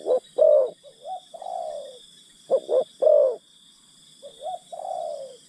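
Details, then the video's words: Decoy spotted dove coaxing wild birds nearby: two short coos, a fuller rolling coo, then a soft rising note and a long sliding coo, the sequence given twice, with a constant shrill buzzing hum behind. "Pikat Terkukur Aksi denak memujuk burung hutan"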